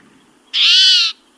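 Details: Single rough, buzzy rasp from a spotted towhee, a call and not a song, lasting about half a second and sounding grumpy or cranky against near silence.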